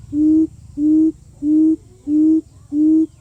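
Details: Quail lure call, five low, hollow hooting notes, each short and level, repeated evenly about every two-thirds of a second, over a faint low hum.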